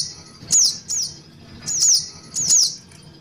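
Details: Brown-throated sunbird lure call aimed at young birds: four high, thin downward-sliding whistles in two loose pairs, with a faint low hum between.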